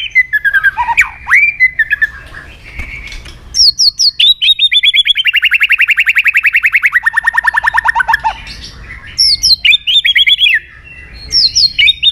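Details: {'caption': 'White-rumped shama song played to stir up other shamas: sharp whistled and slurred notes, then a long, fast, buzzy trill that slowly falls in pitch for about four seconds, followed by high ringing phrases.'}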